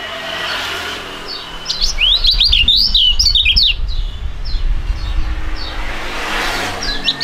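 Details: Two young songbirds of fighting type duetting; a loud, quick string of looping, whistled notes rising and falling for about two seconds, with background bird chirps and a low rumble.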